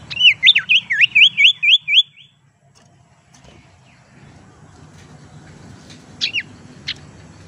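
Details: Lure call of the tailorbird known as sirtu teras, meant to draw birds in and get reluctant singers going: about eight fast zigzag warbled notes over two seconds, a quiet gap with low background hum, then a few sharp isolated chips.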